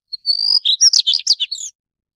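A Daurian redstart gives a thin, high whistle that breaks into a quick run of scratchy, chattering notes lasting under two seconds, in quiet surroundings.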